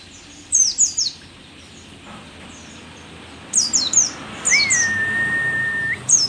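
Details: Aged but still eager-singing pleci dakun, the mountain white-eye said to be rare and endemic to Merapi; bursts of shrill, high falling notes, plus a long flat mid-pitched whistle held for about a second and a half.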